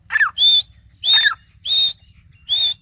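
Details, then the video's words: Grey francolin calling loudly: a repeated two-part phrase, a short falling note followed by a shrill level whistle, given about every half second, with a low steady hum beneath. "Sindhi teetar"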